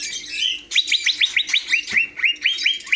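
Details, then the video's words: A cucak hijau, or greater green leafbird, gives a brief whistle, then a steady series of around a dozen bright, rising notes, one every quarter second, over a faint hum. "Burung Cucak Hijau"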